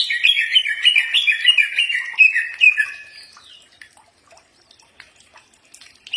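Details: Green leafbird song used to make birds answer: a rapid jumble of warbled whistles and chatter lasting about three seconds, then quiet with scattered faint clicks.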